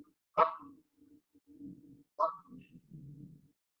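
Canada goose giving two loud, nasal honks about two seconds apart, with low, soft murmuring calls between them.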